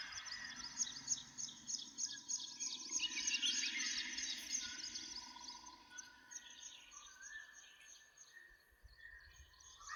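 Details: Birds chirping in a morning forest by a village: a thick chorus of rapid high twittering peaks midway, then thins to scattered whistled notes over a soft background hum.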